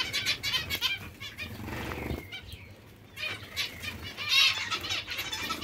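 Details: Several hungry zebra finches calling in nasal, buzzy bursts, a brief lull near the middle, then louder overlapping chatter resuming, with faint rustling underneath.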